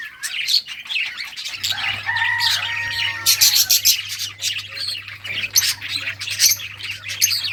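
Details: Playing budgerigars produce rapid scratchy chatter and a few clearer whistled notes, the calls crowding together over a constant low hum.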